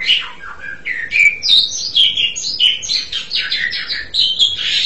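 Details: Asian pied starling song: a continuous stream of slurred whistles, some falling and some rising, blending into harsher warbled notes toward the end.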